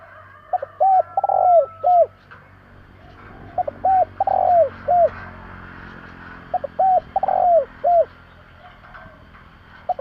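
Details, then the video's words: Spotted dove cooing on a 2021 recording for rousing decoy birds: three phrases spaced about three seconds apart, each a run of low hollow hoots with a longer wavering, rolled note in the middle; faint steady hum underneath. "Tiếng chim cu gáy kích bổi nhanh nổi"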